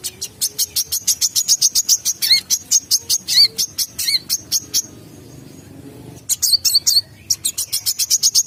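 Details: Trapping lure call of a brown-throated sunbird, a fast string of thin, high chirps with a few dipping notes mixed in, broken by a silent gap of about a second and a half before resuming.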